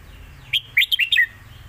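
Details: Caged competition red-whiskered bulbul singing a master song, alternated with the lak wai style, to teach young birds: one short phrase of about six clear whistled notes, rising and falling, quickly delivered over a quiet background.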